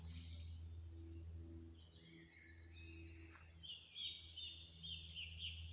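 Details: Song thrush singing just off to the left on a morning in Kirton Wood, Nottinghamshire: loud, bright whistled phrases after a quiet start, some given twice in a row, over a steady low hum.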